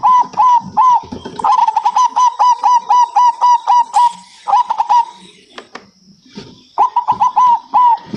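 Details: Local zebra dove singing: bursts of rapid, clipped coos at one mid pitch, each note rolling slightly, run together in quick phrases with brief gaps, over a faint steady high whine.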